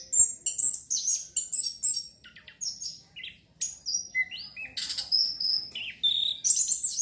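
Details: Orange-headed thrush in full song to stimulate breeding urge: an unbroken stream of piercing, varied whistles, squeaky chirps and slurred notes, each phrase quickly following the last, with almost no background noise.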